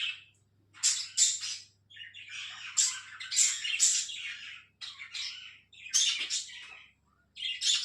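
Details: Pet Alexandrine parakeet calling naturally: a string of harsh, scratchy squawks and rasping chatter, irregularly spaced, some doubled, over about eight seconds in a quiet setting.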